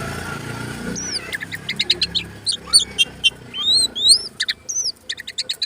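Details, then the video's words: Oriental magpie-robin, a lively singer spreading its tail, used as a lure to make other birds sing: rapid varied phrases of sharp high whistled notes and upslurs, clustered in quick bursts after a quiet start. "Kacer jinak gacor buka ekor,, pancingan burung Kacer"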